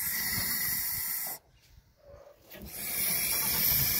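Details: Defensive goose at its nest hissing steadily, the harsh breathy sound broken by a short quiet pause before a second long hiss resumes.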